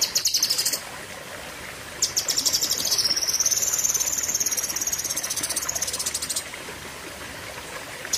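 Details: Cucak kinoi in a long, fierce 'tembakan' song: a short high trill, a gap, then a sustained buzzing trill with a wavering whistled tone lasting about four seconds before quiet returns.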